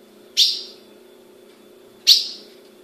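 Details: Two piercing high chips from a caged female ultramarine grosbeak in Brazil, spaced under two seconds apart, each sharp at onset and fading slowly, over a faint steady low hum.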